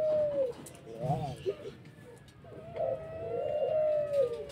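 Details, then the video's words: Pelung-type collared dove giving a whimpering pelog-style coo: a long low sliding note, a wavering tremulous middle section, then a drawn-out mellow coo, over steady background noise. "puter pelung merintih ,/ suara pelog"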